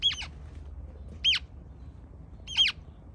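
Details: A pair of Western grebe hatchlings, found alone in a Bay Area reservoir and brought to a wildlife rescue, give three high, thin squeaky peeps about a second apart over a low indoor rumble.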